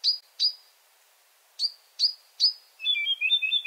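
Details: Marsh Warbler night song from Finland, a skilful mimic: a few sharp whistled notes separated by pauses, then a warbled, trilling phrase of two interleaved tones.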